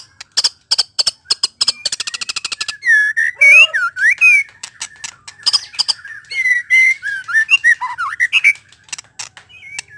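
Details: White-rumped shama song: a burst of rapid clicking, chattering notes, then loud, varied whistled phrases that slide and loop up and down, interspersed with harsh buzzy bursts.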